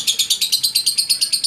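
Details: Lovebird in an aviary of budgerigars and exotic birds, screaming repeatedly while being filmed; harsh high-pitched notes pulse rapidly, about eight per second, in a steady unbroken series.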